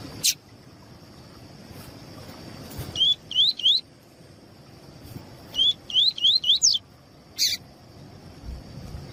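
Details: Lined seedeater (coleiro tui-tui) song with a female calling, used to warm up captive males: bursts of quick, high, upslurred whistled notes, three to five at a time, over a steady high hiss and a few sharp clicks.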